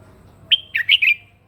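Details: Crested red-whiskered bulbul giving morning fighting song meant to stimulate other birds: a bright whistled opening note, then three quick warbled, bubbling notes, over a quiet low hum.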